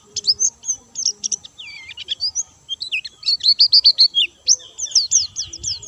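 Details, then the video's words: Pleci, a white-eye kept as a cage bird, in full lively song without doping: rapid high chirps and twisting whistles, building to a fast run of bright repeated notes about four per second, then more slurred phrases. "burung pleci gacor dor tanpa doping"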